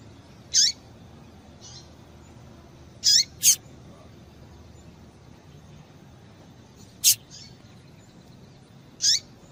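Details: A female double-collared seedeater (Sporophila caerulescens) gives its call used to stimulate males to sing: thin, high, downslurred 'tui' notes, about five spaced irregularly over ten seconds, against a faint steady hiss.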